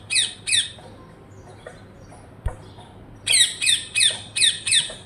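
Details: Parrot calling: two harsh squawks, a quiet pause with a single knock, then a fast burst of five loud rasping shrieks.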